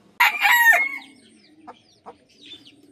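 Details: Short, harsh rooster crow lasting under a second with a falling end, followed by a few soft clucks and faint chicken noises in the morning.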